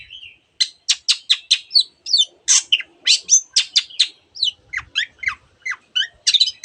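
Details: Long-tailed shrike mixing imitations of other birds: crisp downslurred whistles and squeaky notes in a steady quick string, a brief buzzy phrase in between, faint low knocks in the background.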